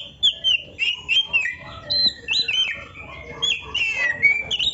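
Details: Oriental magpie-robin song used to train songbirds: sweet slurred whistles rising and falling, broken by short clicks, delivered in quick varied phrases.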